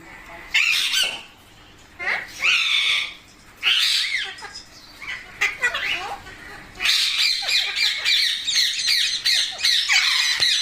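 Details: Parrot kept at home while its owner urges it in Hindi to talk: harsh, raspy squawks and chattering screeches in repeated bursts, growing into a long continuous harsh stretch near the end.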